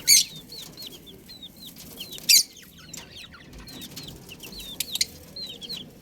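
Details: Several chicks give a steady stream of thin, high peeps, each a quick falling or curled whistle, repeated about every two seconds in loose runs. Occasional loud clicks or scratches break through.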